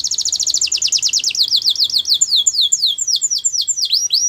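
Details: Russian canary in flute-style song, delivering a long tour of quick high notes that each sweep downward, repeated several times a second at first, then slower and more widely spaced toward the end.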